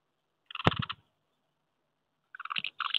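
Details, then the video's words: House martins courting at their nests on a wooden house in May, with pairs claiming last year's nests and squabbles among strangers; two short bursts of dry, bright, scratchy twittering chirrups a second apart, with crunching clicks. "Mehlschwalben am Holzhaus, die Balz"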